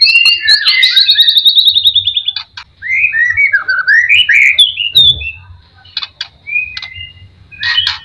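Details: White-rumped shama, a caged bird, singing to provoke others into song: a fast high trill at the start, followed by looping slurred whistles and scattered sharp chips, with pauses between phrases.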